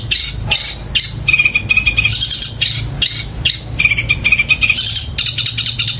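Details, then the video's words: Cendet, the long-tailed shrike, singing a powerful extended song with sparrow-like notes: dense scratchy chirp bursts alternating with short high trilled whistles, continuous throughout. "Cendet suara gereja tarung sambung kunti gacor panjang keras powernya"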